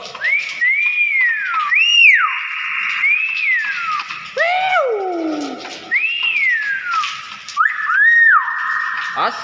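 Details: Common hill myna in lively voice: a series of loud, clear arched whistles, rising then falling, some sliding downward in long glides, repeated every second or two over about nine seconds, with a steady background hum.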